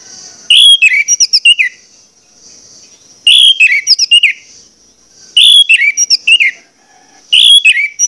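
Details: Orange-headed thrush lure song meant to trigger other birds to sing: four brief bursts of rapid high chirps and whistles, about every two seconds, over a steady faint high hiss.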